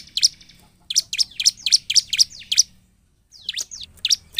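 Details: Bar-winged prinia singing continuously in 'gacor' style to stimulate other prinias: a run of crisp, high, evenly spaced chirps, a short silence, then a few downward-slurred notes and more chirps.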